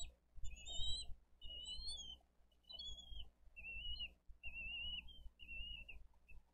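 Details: Bald eagles feeding eaglets with fish at a Dade County nest, 22 April 2023; thin, high whistles in broken phrases, later notes flatter and single, over steady low rumble and rustling.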